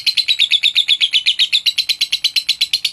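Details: Lovebird singing to provoke rival birds: a fast run of sharp, high chirps repeated about three times per second, steady and bright with little pause.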